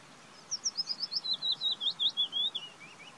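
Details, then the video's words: Willow warbler song, one full phrase of about a dozen soft slurred whistled notes that gently descend in pitch, ending in a couple of quieter falling notes, with light background hiss. "Willow Warbler Song. Løvsanger lyd. Pajulintu ääni. Fitis Gesang"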